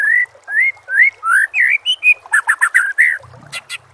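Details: Training song for caged white-rumped shama: a series of loud, clear whistled notes, each rising or looping, spaced about half a second apart, then four quick sharp notes and a brief low thump.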